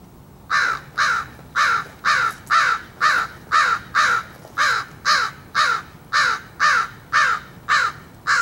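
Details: A crow, hand-fed by a person, caws at something in a long steady run of about fifteen harsh, rasping caws, roughly two per second, with little else heard.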